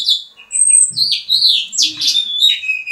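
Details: A Mexican house finch, ready for mating, sings a fast, jumbled warble of high, slurred notes and buzzy trills, running on without pause; faint low room sounds underneath.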